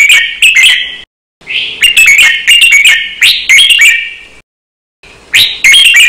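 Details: Red-whiskered bulbul in a cage, singing a training song meant for teaching cage birds, in the note-counting style with fast doubled notes. Quick chirpy whistled phrases, some slurring upward, run in three bursts broken by short silences.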